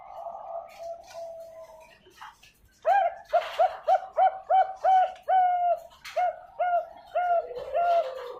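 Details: Zebra dove of the Bangkok ring line, kept at a bird farm in Pasuruan, East Java, Indonesia, delivers a quick series of about a dozen mellow, arched coos after softer, lower opening notes.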